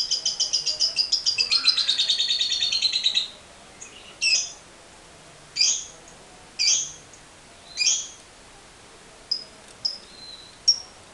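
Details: Lovebird, a caged bird used as a training lure, giving a long ngekek: a fast rattling high trill of about three seconds, then separate sharp high chirps roughly once a second.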